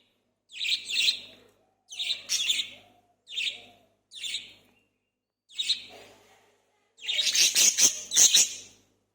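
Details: Three budgerigars playing at home chirp in quick, scratchy bursts of high, warbling chatter separated by short pauses.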